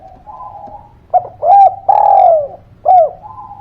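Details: Gacor spotted dove cooing, used as a lure for birds that will not sing: low hum, a quick coo, a rounded coo, a long falling drawn coo, then a short coo and soft hum.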